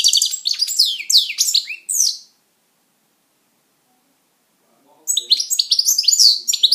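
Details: Lively twittering song from a pet European goldfinch, a run of quick tinkling, slurred notes for two seconds, then nearly three seconds of silence before another bright, chattering phrase.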